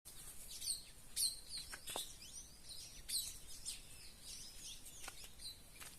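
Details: Red-cowled cardinal in the sertão of Brazil's northeast: bursts of high, sharp chirps and short slurred whistles, clustered near the start and again after three seconds, over steady background noise.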